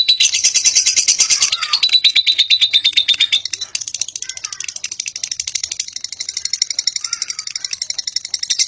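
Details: Lovebird in a long ngekek chattering song. Rapid, scratchy high notes pour out in a continuous stream, shifting slightly in pitch partway through, with faint lower noises beneath.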